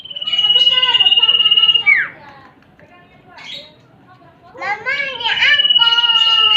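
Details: Combined male and female common iora lure call: high drawn-out whistles with a falling slurred ending at the start and end, overlapped by rich harmonic chattering calls in the middle.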